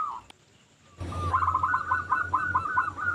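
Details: Local zebra dove, a keen singer used to coax others: a short coo, a pause, then a burst of quick rolling notes over a loud low hum and background hiss.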